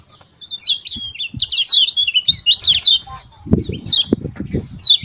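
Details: Lemon-bellied white-eye singing in the morning, a 'ciak ciak' chatter meant to spur quiet birds into song: rapid, high twittering warble of twisting chirps in bursts, a steady thin high whine behind, dull low thumps in the second half.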